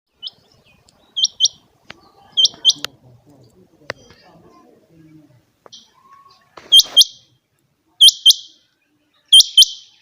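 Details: Changa quail, described as a bird for hunting, calling: pairs of sharp, high upswept whistled notes repeated about every second and a half, with a quieter gap of faint rustles and handling noise in the middle.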